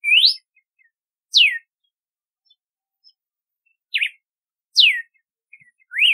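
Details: Red-cowled cardinal whistling its song: rising and falling slurred notes and a zigzag note, given in pairs with longer pauses, clean and loud with no other sounds.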